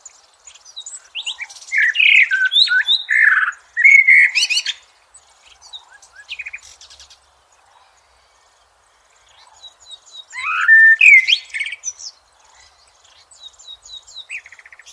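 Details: Singing Blackbird outdoors: a long, varied fluting phrase with twittery high endings, quiet scratchy notes, then another mellow warbled phrase several seconds later.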